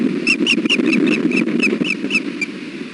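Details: Male osprey on the Hellgate nest, brooding on a very windy day at 1 pm, 3 July 2016, after a stick swap, gives about ten sharp whistled chirps roughly every quarter second, over steady low wind rumble.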